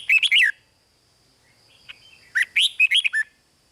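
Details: Red-whiskered bulbul in a cage in Thailand, song meant to excite other caged birds; a short burst of bubbling whistles, a pause, then a longer phrase of bright, descending chirpy notes.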